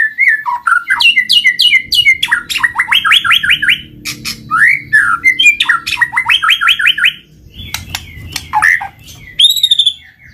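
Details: White-rumped shama song aimed at prompting idle birds to sing: dense, fast, varied phrases of repeated warbled whistles and sharp clicking notes, with a short pause near the end and a final high rising whistle.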